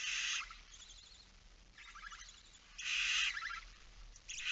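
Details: Barn owl chick briefly unattended at the nest on 9 September 2019 at 20:09. Loud rasping hisses alternate with softer, wheezy ones, about four bursts in quick succession.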